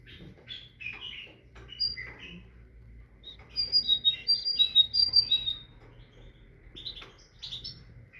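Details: A tit sings one clear burst of rapid high whistled paired notes in the middle, surrounded by scattered softer chirps and calls before and after.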